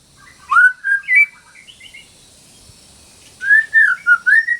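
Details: Female white-rumped shama in breeding condition calling a male, training song for silent shamas: a few loud rolling whistles and a thinner held note, a quiet stretch, then a steady series of mellow warbled whistles rising at the end.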